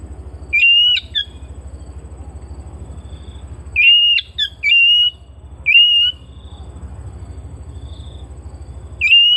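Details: Captive, home-kept Oriental magpie-robin singing: short, clear, level whistled notes with sharp sliding onsets, given in brief phrases separated by pauses of a second or more, over a steady low electrical hum.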